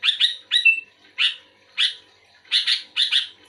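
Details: Sooty-headed bulbul actively singing back at another bulbul, giving doubled harsh chirps, one trailing into a level whistle, then single chirps and two closing pairs.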